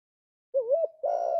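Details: Spotted dove giving a soft, low cooing phrase: a short wavering note, a brief gap, then a longer steady coo, with no other sounds.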